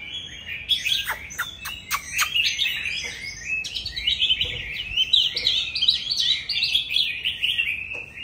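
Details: Loud song of a mature, forest-caught Oriental magpie-robin kept in captivity: sharp clicking notes and separate piercing whistles at first, then a long fast stream of jumbled warbles and twittering trills.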